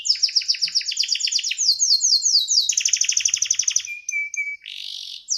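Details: Canary song, a caged songbird in a 'gacor' (in full voice) rolling song: rapid runs of high downslurred notes repeated in quick trills, shifting to a buzzy rattle, then a few steady whistled notes and a harsh burst at the end.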